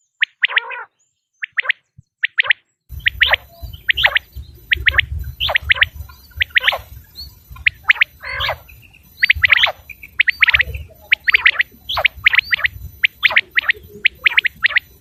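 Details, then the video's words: Common quail producing a long run of crisp, sharp notes, rhythmically repeated in groups, with a rumbling low background noise after the first seconds. "quail sound effect.batair ki Awaz.common quail sound.صدای بلدرچین.صوت السمان"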